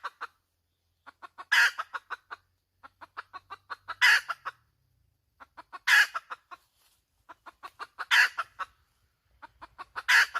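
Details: Hen cackling: runs of short, quick clucks that build into a loud, harsh, broad squawk, the sequence repeating about every two seconds across five bursts.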